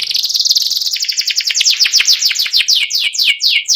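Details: Caged white panda canary in ngeriwik song, a fast rattling trill that slows into a run of sharp descending chip notes, bright and high.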